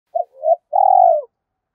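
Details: Spotted dove cooing, from a recording meant to stir doves into cooing quickly: a short low hooted note, a softer rising coo, then one long, slightly descending, throbbing coo in a quiet setting.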